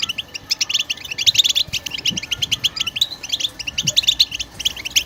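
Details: European goldfinch in 'batbata' song, played to encourage other birds to sing and break their silence: fast, dense twittering of short bright chirps and trills, almost continuous, with faint low background rumble.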